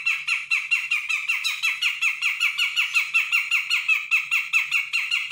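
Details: Grey-cheeked bulbul from Sumatra, an untrained young bird, reacting to a lure call with sustained fast chatter: loud, scratchy, pulsing notes running without pause.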